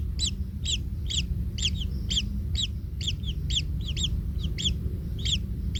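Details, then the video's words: Kingfisher chick trampled by its parent in the nest: steady run of scratchy rising-falling squeals, two to three each second, some paired, against a constant low rumble. "Anak Tengkek Terinjak Induknya Hingga Kesakitan - Baby Kingfisher bird nest"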